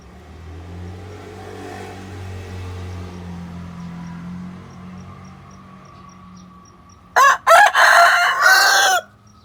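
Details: Chicken answering a played hen recording with a loud, broken crow of several harsh segments near the end, after several seconds of low droning engine-like background noise and faint regular ticking.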